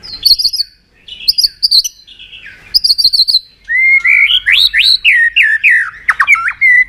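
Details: White-rumped shama provoked into fighting song: repeated high bright phrases with clicking notes, followed by loud rapid rich whistles rising and falling in quick succession, a vigorous varied stream.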